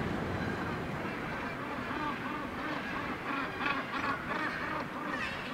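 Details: Northern gannets at a breeding colony on Syltefjordstauran, a steep cliff face on the north-east coast of Varanger, Norway, one of the northernmost gannet colonies; a dense, continuous chorus of harsh, grating calls from many birds at once.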